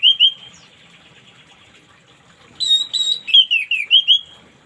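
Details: Morning singing of an orange-headed thrush, aimed at getting silent birds to sing: two quick whistles, a lull, then a lively series of bright, up-and-down slurred notes with shrill high edges.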